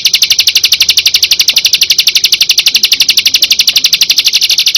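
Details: Prinia (perenjak) in a tembakan combination recording: one unbroken, very fast, evenly spaced train of sharp high chips, steady in pitch and loudness throughout.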